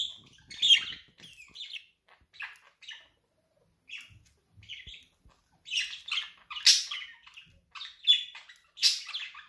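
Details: Budgie laughter: uneven runs of shrill squawky chirps and twittering notes, growing louder and denser toward the end.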